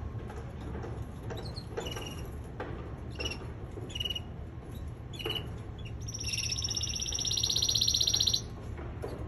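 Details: Male canary in singing training: scattered short high chirps, then a loud, fast rolling trill held for about two seconds near the end, over a steady low hum.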